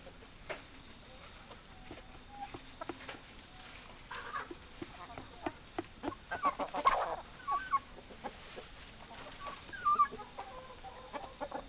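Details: Chickens clucking quietly at a distance: sparse low clucks with a louder cluster midway and a few higher notes, over a faint background hum.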